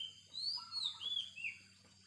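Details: A wild Oriental magpie-robin sings four clear whistled notes in quick succession, some gliding up and some sliding down, with a faint steady high hiss behind.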